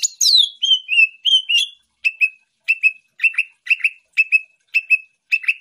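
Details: Champion greater green leafbird: opening with descending whistled slurs, then settling into paired sharp chip notes repeated about twice per second at steady pitch.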